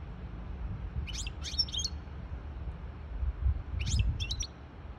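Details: Hybrid goldfinch singing to tutor young birds and stir a female goldfinch into mating posture; two short bursts of high, quick twittering notes about three seconds apart over a low background rumble.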